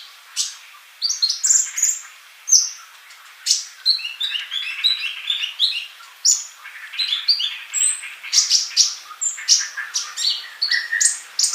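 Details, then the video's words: Energetic song of a male olive-backed sunbird, a tutor for young birds not yet singing. Dense, fast twittering of high squeaky notes and short trills flows almost without pause. "Kolibri Ninja Jantan Gacor buat masteran yang masih bisu"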